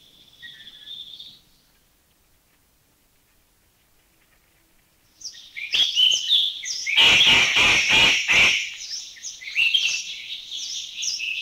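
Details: Grey treepie flying overhead: a brief thin whistle, a pause, then loud, harsh, rasping chatter with several rapid grating bursts; recorded in a Thai national park (Khao Yai, Doi Intanon, Doi Suthep-Pui or Chae Son).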